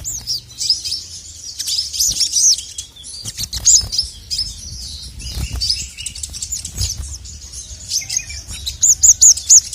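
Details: Male crested jay, a caged songbird, calling to set off rival birds: bursts of thin, very high chirps, a short run at the start and a fast triple near the end, with faint rustling and clicks in between.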